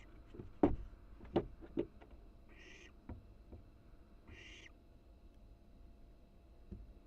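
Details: A wild barn owl chick in its nest box, filmed by a live cam while flapping its wings, gives two breathy, hissing screeches roughly two seconds apart after a few sharp knocks and bumps.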